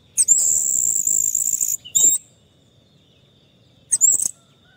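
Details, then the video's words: Orange-headed thrush song played to a stressed bird that has gone silent: a long, high, buzzy sustained note, then two short sharp chirps after a pause. "Terapi Anis merah stres dan macet bunyi"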